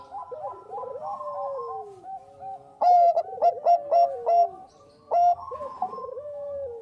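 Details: Zebra dove of the Bangkok type, a lure recording of a female calling a male, giving soft rolling coos that fall in pitch, with a burst of sharper staccato cooing notes in the middle.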